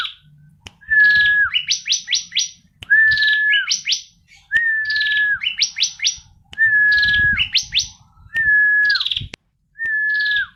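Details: Female bar-winged prinia singing: each phrase opens with a steady, slightly dipping whistle, then a quick run of four or five rising buzzy notes, repeated about every two seconds, with faint low rumble behind.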